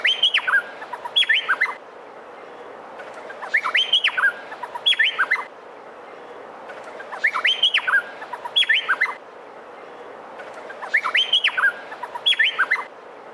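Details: Male Meliphaga honeyeater, known locally as cucak pantai, singing vigorously in a recording used to train other birds: bursts of loud, sharp whistled and chattering notes in short phrases, repeated every three to four seconds with quiet pauses between.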